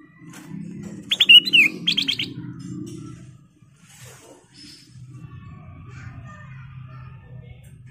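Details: Sooty-headed bulbul singing, a recording meant as a lure for training or trapping birds: a single burst of quick whistled notes and short chattering pulses, then near silence with a steady low hum underneath.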